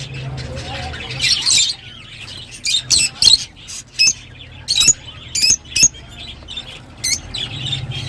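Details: Harsh, high-pitched lovebird squawks repeated in clipped bursts roughly every half second to second, with a low hum in the background.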